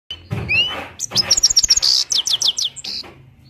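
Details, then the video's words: Himalayan goldfinch from Parachinar singing: a thin rising whistle, then a fast, bright, high-pitched twittering run of sharp chirps and short trills with a slight buzz, ending in clipped notes over a faint low hum. "Himalayan gold finch slowly motivational sings"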